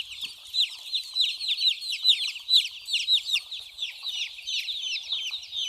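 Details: Small baby chicks playing and drinking water, a dense flock chorus of high, thin peeps that overlap constantly, each a quick downward-slurred chirp, several per second with no pause.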